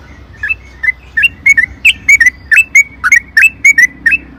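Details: Trucukan bulbul singing 'gacor' to provoke rivals: clear whistled chirps, some paired, falling and rising, repeated roughly every third of a second over a low steady hum.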